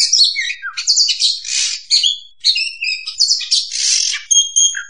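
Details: Kacer, the oriental magpie-robin, in a trapping lure recording: dense harsh rasping bursts mixed with short bright whistles and quick descending slurs, nearly nonstop.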